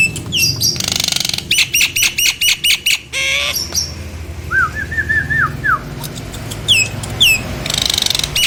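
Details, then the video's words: Nias hill myna song for drawing other mynas into song: rapid rattling clicks and squawks, a brief low whistle, a chain of five rising and falling whistled notes, then a few high falling whistles and harsh noise. "Tempel dan pancingJALAK NIAS ini agar jalak nias yang macet dan malas bunyi lngsung nyaut dan gacor!"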